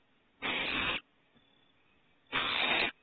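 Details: Young owls venturing outside the nest for the second time at Starr Ranch, April 21, 2018, give two loud, noisy hisses of about half a second each, nearly two seconds apart, with near silence between.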